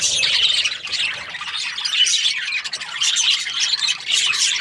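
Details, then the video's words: Budgies, named as Australian, chirp and squawk together in a constant high jumble that briefly softens in the middle before swelling again. "Australian budgies chirping sound"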